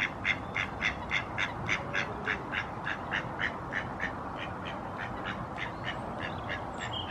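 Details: Common moorhen at Barrs Court, 28 February 2021, giving a steady run of abrupt, nasal, clucking notes, roughly two per second, that slowly fade toward the end, with a faint high chirp late on and low background hum.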